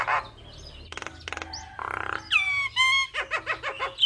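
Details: Javan myna full song for drawing responses from other mynas: short harsh rasps, clicks, a flat buzzy burst, a long descending whistle and quick rough notes at the end.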